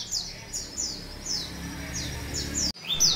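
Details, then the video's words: A canary singing a master song that includes white-eye (pleci) song: thin, high, downward-slurred chirps repeated every half second or so, over a soft background hum and a brief click. "master pleci isian Cililin kenari panjang"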